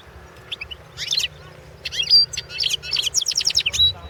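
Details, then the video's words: European goldfinch recorded as a competition entry for the 2016 World Championship in Goldfinch Song: lively tinkling twitters building into a fast run of repeated chirps, ending in a clear high note, with low background hum. "Pesma štiglića World championship"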